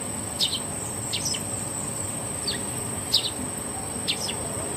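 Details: Bird searching for a mate: a few widely spaced, brief high chirps, some doubled, roughly once a second, beneath a continuous piercing insect-like drone.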